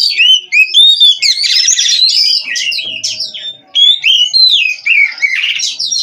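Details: Caged Oriental magpie-robin in full song, mixing clear whistled notes, buzzy rasping bursts and quick warbled twists in a lively, unbroken sequence, with a faint low hum.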